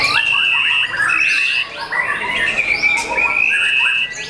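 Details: Young caged white-rumped shama with long sustained whistled tones held steadily, layered over softer rising slurs and chattering notes.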